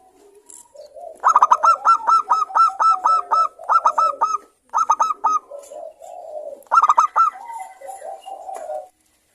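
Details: Local zebra dove, a frequent singer with a clear crystal voice, used as a lure to stimulate other zebra doves to sing: rapid runs of hooked, staccato coos in several bursts separated by short pauses, with soft lower murmuring between them.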